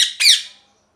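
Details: Harsh, overlapping parrot squawks in a brief loud burst that trails off into quiet.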